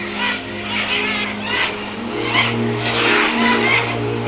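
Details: A steady engine drone with rising and falling rushing noise, like a passing vehicle, and no animal calls.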